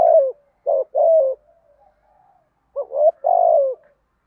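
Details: Cooing spotted doves in the 'giọng đồng' voice, meant to stimulate other doves to call. Short paired notes and longer wavering coos are separated by a soft murmuring interlude.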